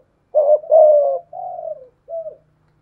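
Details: A spotted dove coos in a duel between a decoy with a 'thổ pha thúc' voice and a wild dove. One low phrase of four coos fades lower and softer toward the end.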